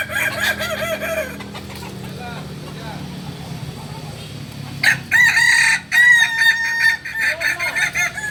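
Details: Kokok Balenggek roosters crowing at a joint practice session in Amko, Solok city. A short crow opens the stretch, then a quieter gap with crowd murmur, then a loud, long crow of several held syllables separated by brief pauses.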